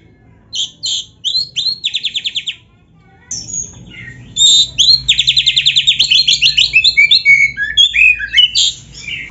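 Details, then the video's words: Oriental magpie-robin (kacer) singing energetically for a training recording: short whistles, a brief rattling trill, a pause, then a long rapid buzzy trill of over twenty pulses and mixed chirps. "KACER GACOR MASTERAN KACER ISIAN MEWAH"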